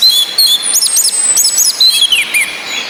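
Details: Ngecis calling of a female orange-headed thrush, used as therapy to stimulate males that only twitter into full singing. Rapid high chirps and looping whistled notes are repeated in tight clusters over a soft hiss.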